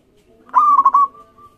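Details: One mellow phrase from a local zebra dove, sung as a lure to make other doves call: a coo broken into three fast throbbing beats, trailing into a thin fading tone.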